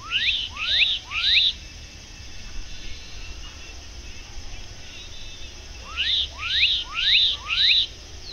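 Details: Black-capped donacobius at a lake in Brazil on a sunny early-winter afternoon around 2 pm sings loud, sharply rising whistles in quick runs, three notes then a pause and four more, over a low background hum.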